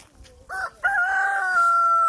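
A rooster crows: a short opening note, then a long, loud, sustained cock-a-doodle-doo.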